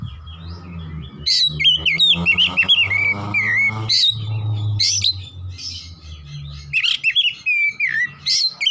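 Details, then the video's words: Oriental magpie-robin in lively 'gacor nembak' style song, repeated short bursts of shrill slurred whistles separated by brief gaps, over a steady low droning hum. "KACER GACOR NEMBAK NEMBAK"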